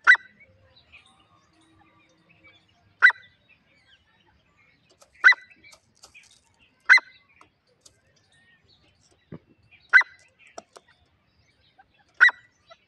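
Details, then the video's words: Female grey francolin calling, used to lure wild birds for trapping: sharp, loud single notes repeated every two to three seconds, six in all, with faint clicks and rustles between them. "Titar ki shekar ki awaz jangali titar pakdne ka awaz female titar ki awaz"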